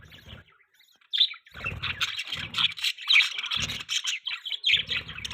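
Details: Budgies chirping: dense, continuous warbled chatter of quick scratchy chirps and bright squeaky notes, loud and busy throughout after a short pause near the start, with bursts of low rumbling noise underneath.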